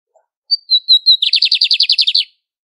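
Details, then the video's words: Songbird of the Brazilian Northeast delivering a short series of high whistles followed by a rapid rattling trill of about a dozen pulses, loud and clear. "Os Pássaros de Canto Mais Incrível do Nordeste"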